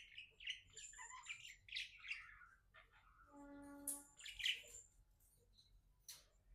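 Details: Happy pet budgie warbling quietly indoors, a soft jumble of buzzy chirps and whistles, with a steady low humming tone in the middle and a few sharp clicks.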